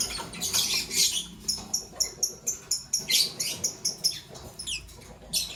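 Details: Green Fischer's and pastel blue lovebirds singing in the morning. Rapid, shrill chirps repeat steadily, roughly three each second, and break into denser twittering bursts at the start and middle.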